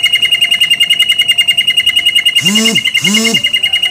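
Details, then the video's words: Canary in full gacor singing style, used as a lure recording to prompt other canaries to sing, delivering a fast, even rolling trill throughout, interrupted by two lower, arched harmonic calls. "PANCINGAN KENARI GACOR NGEROL NEMBAK | CANARY SINGING"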